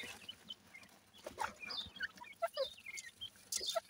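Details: Soft, thin whistled peeps from Grey francolin chicks playing together, spaced irregularly over quiet background hiss.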